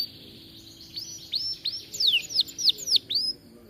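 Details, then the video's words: Atlantic canary singing a short phrase of arched, looping whistles that rise and fall, gradually louder, ending in a high upslurred note. "Kenari gacor cocok untuk masteran"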